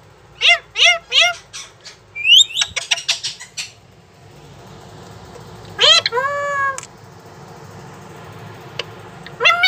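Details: Talking pet parrot repeating "mummy": bursts of short, harmonic syllables in quick succession, then a louder, longer squawky call. Quiet background noise throughout.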